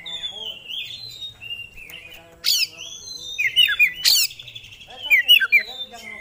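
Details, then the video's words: Oriental magpie-robin, a 'kacer gacor' in full song displaying its 'isian' repertoire: a varied stream of thin sliding whistles, twittering flourishes and two sudden bright rasping bursts, continuous over several seconds against a quiet background. "Kacer Gacor Bongkar Isian"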